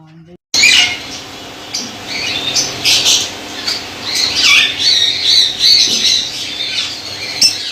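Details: Colony of white lovebirds in Pakistan, calling together: dense, overlapping shrill squawks and chirps, high-pitched and harsh, rising and falling in bursts throughout, with a faint steady hum underneath.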